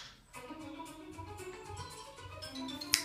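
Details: Soft plucked-string music plays with sustained tones and gentle taps. A single sharp click sounds near the end, and no animal voice can be picked out.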